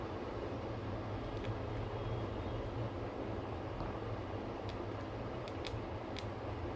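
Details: A steady low rumble of passing traffic or a train fills the recording, broken only by a few faint, sharp high clicks, with no animal voice heard.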